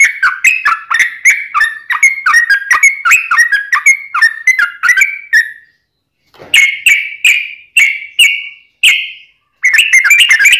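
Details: Yellow-vented bulbul in long, fluent rapid song: bubbly notes near the middle range repeated about twice a second for five seconds, a pause, then more spaced phrases and a dense burst at the end.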